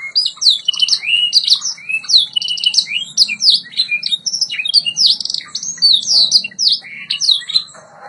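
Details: White Yorkshire canary from a singing training recording, pouring out a long unbroken song of sweeping whistles, rapid trills and rolling phrases, loud and bright throughout.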